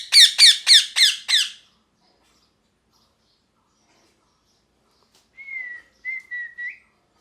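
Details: Parrot chirping: five loud, harsh, harmonic chirps in quick succession over the first second and a half, then silence, then a softer, whistled, slightly wavering call in three short parts near the end.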